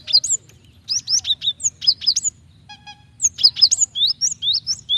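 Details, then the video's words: Female cinereous tit calling the male to provoke him into singing, giving dense runs of high, thin, upslurred chirps, with a brief lower buzzy tone in the middle, then quick repeated whistled notes, over a soft low hum. "Gelatik betina gacor memancing bunyi"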